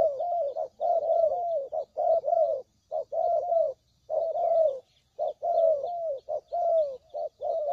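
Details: Spotted dove calls used as a trapping lure: low, mellow coos in dense overlapping runs, each phrase slightly falling, with only brief gaps between bursts.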